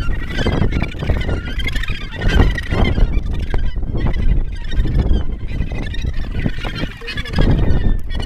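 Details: Australasian gannets at the Cape Kidnappers colony, New Zealand, with chicks and adult males carrying nesting material, recorded a few feet away: many harsh, grating calls overlapping without pause over a heavy low rumble of wind.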